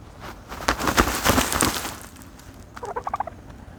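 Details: Turkey bathing in dirt, with scratchy dust-bathing noise through the first two seconds, then a short burst of rapid gobbling notes near the end.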